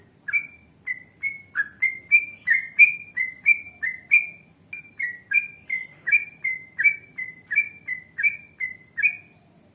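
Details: Yellow-vented bulbul, recorded as an Indonesian training sound, pouring out a long even run of about twenty short whistled chirps, each dipping or rising slightly, around two per second.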